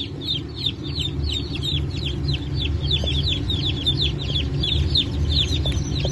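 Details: Brahma and Wyandotte chicken chicks from a 1 May 2024 hatch, peeping loudly and insistently: clear, high, down-slurred cheeps roughly two to three per second, over a persistent low drone.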